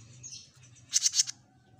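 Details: An actively singing Jenggot Mini bird gives a single short burst of four sharp, ringing high-pitched chirps delivered in quick succession.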